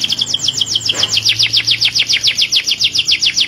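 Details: Canary singing to stimulate other canaries to sing and to prepare for mating: a fast, even trill of sharp, high chirps, about three or four per second, sliding downward. A faint low hum runs underneath.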